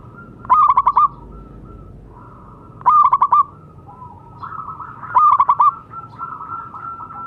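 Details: Zebra dove of local stock calling loudly as a training sound for silent doves: three bursts of fast stuttering coos about two and a half seconds apart, each followed by softer, longer humming coos.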